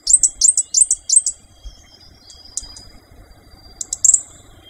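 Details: Fire-breasted Flowerpecker, Dicaeum ignipectum formosum, opens with four quick doubled high ticks, then scattered single high notes and a final clustered burst, with faint thin background sounds.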